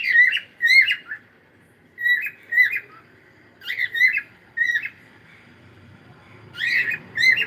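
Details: Morning singing from a pet cockatiel, a run of whistled two-note phrases with rich overtones, repeated roughly every second with gaps, faint low hum late in the recording.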